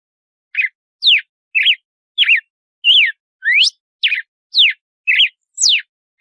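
A Red-cowled Cardinal sings a steady series of about ten clear whistled notes, some slurred steeply up or down, others short and warbled, in an otherwise silent background.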